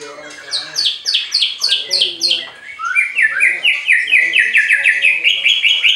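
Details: White-rumped shama kept at a bird farm in Anyer, Banten, singing to provoke rival birds: rapid, loud repeated downslurred notes about twice a second, shifting midway into a steady train of lower buzzy-whistled phrases.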